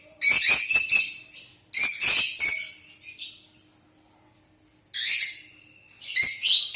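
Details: Lutino lovebird kept as a pet gives loud, harsh screeching bursts separated by pauses of silence, one burst ending in a thin sustained note.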